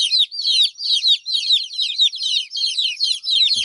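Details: Hen's babies crying because the mother is not near: rapid, shrill peeps from several chicks, rising and falling in pulses about twice a second. A soft thud comes at the very end.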